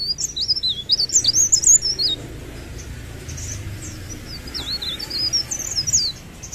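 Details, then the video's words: Energetic song of a mountain leaf warbler, fast looping high whistles tumbling up and down for two seconds, softer scattered notes, then another quick wavy run near the end; low background rumble throughout. "Suara Blerengan ( Cikrak daun ) Gacor"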